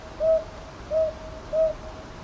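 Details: Three soft, level hoots from a northern boobook, evenly spaced and clear above a quiet hiss, recorded at Ichijoji in Kyoto's Sakyo Ward on 22 May 2023.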